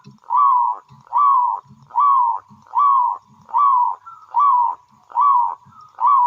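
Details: Wild local Indonesian zebra dove singing steadily, kept as a lure to draw other doves into song: eight even, burry cooing notes, each about half a second, repeated regularly at just over one per second, with faint low thuds between.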